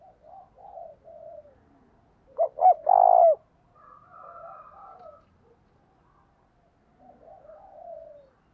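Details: Spotted dove kept as a decoy, cooing to provoke other doves: one loud phrase of two quick short notes and a sustained low coo, surrounded by fainter, softer coos from other doves.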